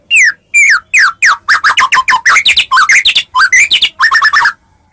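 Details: Fighting lure song of a Medan white-rumped shama, intended to provoke replies: a continuous run of loud, varied whistled notes, many falling in pitch, delivered in quick succession for about four seconds.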